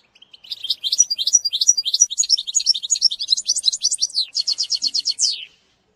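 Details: European goldfinch tutoring song for training a young bird, sung with the bitbita style: a fast, dense run of high tinkling, twittering notes and liquid trills, ending in a rapid buzzy trill and a downward slurred note.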